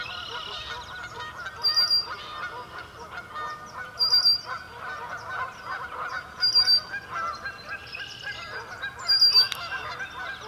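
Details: Sandhill cranes calling at a marsh during a cloudy sunrise: a steady chorus of rolling, rattling calls, with short, sharp high notes from other birds breaking in every two seconds or so.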